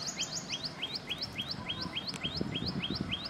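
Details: A common tailorbird at Keoladeo National Park, Bharatpur, Rajasthan, India, gives rapid, loud, high upslurred notes, its "tuui-tuui" or "whee-whee" call, about three or four a second, over low background rumble.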